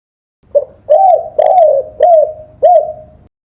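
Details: Spotted dove song for training songbirds: five rounded coos in steady succession, a quick first note, then longer, soft, slurred notes, each rising briefly before falling away.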